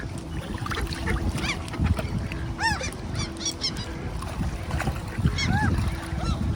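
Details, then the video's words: Handfed ducks at Tveitevannet lake in Bergen, Norway, on a windy day in June, giving scattered sharp arched calls, a cluster of several loud ones midway, above constant gusty low-frequency wind noise. "Handfeeding Duck’s on a windy Day in June- Tveitevannet in Bergen _ Norway Noisy Birds"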